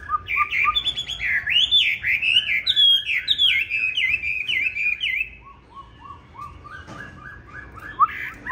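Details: Chinese hwamei of the green-bean-eyed type giving fighting song, used to train other hwamei toward a smooth, non-harsh song: loud rich whistled phrases sliding up and down, then softer short repeated notes in quick succession.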